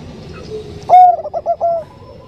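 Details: Bangkok zebra dove, a female calling a male in a soft voice, giving one brief phrase: a strong clear coo running into three or four quick rolling notes over a low background hum.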